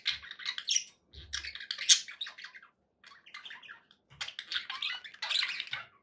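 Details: Pet budgerigars, described as happy, chattering in short bursts of buzzy, scratchy warbles and chirps, broken by brief pauses, with a few low thumps beneath.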